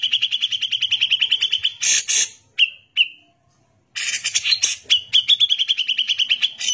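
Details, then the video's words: Grey-cheeked bulbul singing in a lively, rapid style used as a tutor recording for other songbirds: long series of fast, evenly spaced high chips on one pitch, then a pause with two brief whistles before another rapid chattering run. "CUCAK JENGGOT GACOR BISA BUAT MASTERAN"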